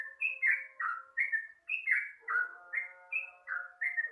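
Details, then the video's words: Dawn song of the sooty-headed bulbul, used as a lure: quick, cheerful whistled phrases of sliding notes, about ten in four seconds, with soft lower tones underneath. "pancingan suara burung trucuk diwaktu subuh"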